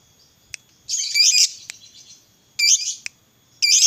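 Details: Lovebird giving loud, dense high chatters of about half a second, separated by short gaps and single sharp ticks; the bird is played to prompt other lovebirds to sing.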